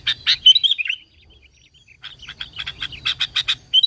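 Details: Sooty-headed bulbul used to provoke other bulbuls into song: a short whistled, warbling phrase, a near-silent gap, then a quickening series of bright chips and little slurred whistles.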